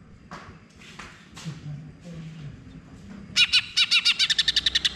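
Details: Greater green leafbird song used to prompt a silent bird into singing: faint scattered notes at first, then a burst of rapid, loud, clipped chattering notes repeated about four per second and speeding up toward the end.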